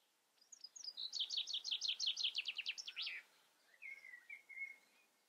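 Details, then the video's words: A common chaffinch delivers one full song: a couple of thin lead-in notes, then about a dozen rapid ringing descending notes ending in a brief flourish, followed by two quieter drawn-out whistles. "Common Chaffinch sings. Buchfink singt"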